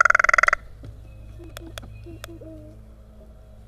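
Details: A very vocal crow in a spring yard in Kalamazoo, Michigan, "talking" to another crow that barely answers, gives a quick, harsh rattling burst of about a dozen rapid notes in half a second, then faint clicks and a soft human voice.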